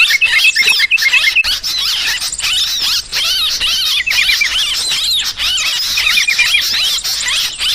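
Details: A dense, restless flock chatter of sooty-headed bulbuls used for luring birds: rapid squeaky and warbled notes in quick bursts with frequent short breaks, over a long stretch.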